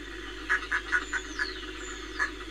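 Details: Northern fulmar near Reykjavik, Iceland, on 25 April 2024, giving a quick run of six harsh, clucking notes about five per second, then one more after a pause; faint high descending whistles behind.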